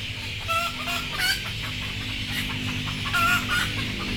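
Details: Sleepy, frightened chickens, described as too frightened to go on board, giving soft, short, wavering clucking calls repeated several times over a steady low rumble and hiss.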